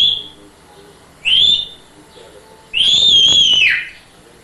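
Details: African grey parrot imitating sounds: two clear high whistles, a short rising one and then a longer sustained note that wavers and slides down at the end.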